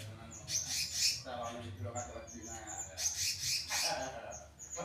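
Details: Selendang biru kept in a mini aviary, singing rapid bursts of high chirping notes mixed with short whistles, with a person's voice faintly behind.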